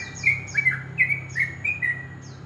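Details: Brief morning phrase from a sooty-headed bulbul in ropel style: several quick squeaky whistled notes with high falling chirps, over a low humming background.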